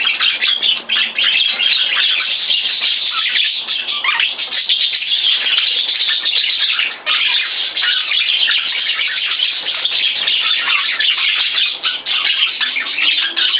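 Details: A male Budgerigar courting a new female partner, doing a mating dance, chatters continuously in dense, scratchy warbles and chirps; the female seems uninterested.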